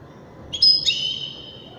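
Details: European goldfinch of the Widani type singing one short phrase: a bright buzzy burst that settles into a held, ringing high whistle lasting under a second, with faint low background hum.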